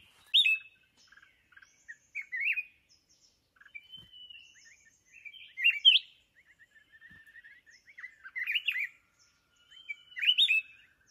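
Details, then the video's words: Mountain red-whiskered bulbul, wild, during trapping with a decoy. Loud, short whistled phrases come roughly every two seconds, with softer twittering notes and short trills in between, over quiet surroundings. "Chào mào núi bẫy đấu"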